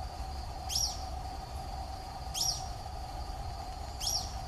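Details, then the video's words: Wild social flycatcher recorded live in the Atlantic Forest, Brazil; sharp, high downslurred call notes repeated about every one and a half seconds, over a steady low hum and insect drone. "BENTEVIZINHO de PENACHO VERMELHO (CHAMADO) SOCIAL FLYCATCHER MYIOZETETES SIMILIS"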